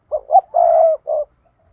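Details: A single 'thúc' phrase from a decoy spotted dove kept for luring wild doves into traps: two short coos, a long even low coo, then a shorter closing coo, in a quiet setting.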